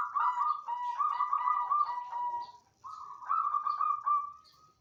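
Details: Caged zebra dove of the banyumili type, recently settled in a knitted cage hung at a good height, singing loudly: rapid rolling trilled coos near one pitch in two long bursts with a brief pause between.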